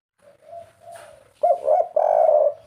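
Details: Captive spotted dove of 'kuk 3' style starting with faint soft coos that build into louder rolling coos and a long sustained coo, over light background hiss.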